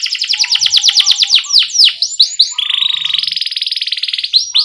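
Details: Canary singing to teach young birds: a rapid train of sharp chips, a few swooping whistles, then a long steady rolling trill with dense rapid pulses.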